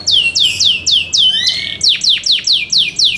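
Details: Song of a kept Yorkshire canary prepared for competition: repeated loud descending slurs, a low rising whistle in the middle, then a series of sharp down-swept notes about four per second.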